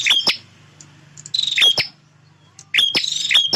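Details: Male bar-winged prinia singing energetically to defend its territory. Three brief buzzy, crackling bursts come with sharp clicks about every 1.3 seconds. A soft low hum runs between them.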